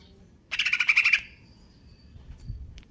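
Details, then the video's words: Greater green leafbird singing kejer nembak: one tight, fast rattle of about eight rasping pulses ending in a fading whistle, followed by near-quiet with a soft low rumble. "cucak ijo konslet kejer nembak"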